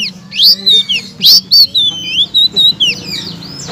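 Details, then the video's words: Blue-crowned laughingthrush song for rousing murai batu, kacer and cak ijo into loud song. It consists of clear, high whistled chirps and quick upslurs in irregular bursts, with a faint low hum underneath. "BURUNG SELENDANG BIRU BONGKAR BURUNG MACET MURAI BATU, KACER, CAK IJO LANGSUNG NYAUT BUNYI KERAS"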